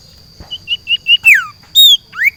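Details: Sirtu kept in a cage and set outdoors in a garden, singing: a short run of high whistled notes followed by loud slurred whistles, some falling steeply and others rising, with a steady high tone running behind.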